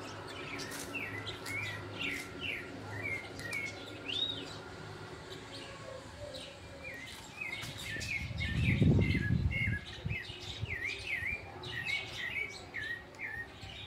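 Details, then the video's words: Sabiá thrush in full late-afternoon song in August 2020 beside a blossoming avocado tree. Bright whistled notes, some rising and falling, tumble in rapid sequence over a low hum, with a thump of handling noise midway. "CANTO DO SABIÁ AO VIVO"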